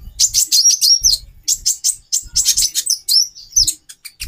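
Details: Female brown-throated sunbird, captive, calling to trigger a male's breeding drive: clusters of sharp, high, slightly buzzy chirps separated by short pauses, with occasional low knocks.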